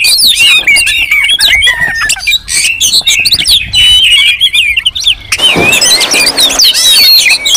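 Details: Oriental magpie-robins calling in a rowdy throng, played to provoke and lure other magpie-robins: tumbling high whistles and chirps, with a passing vehicle rumble joining in over the last two seconds.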